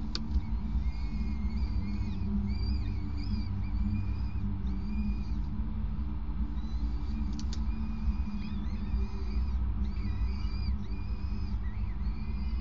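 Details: Prey handover by a male peregrine falcon at a grating nest on a Gasunie site, evening of 5 May 2019, 20:54; a long series of reedy, wavering squeals and whining notes rises and falls over a steady low droning hum.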